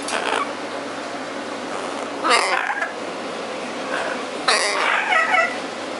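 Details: A pet double yellow-headed amazon starts singing indoors, apparently jealous while a macaw is being recorded: loud, raspy, voice-like phrases in three or four bursts over six seconds against a faint indoor hum.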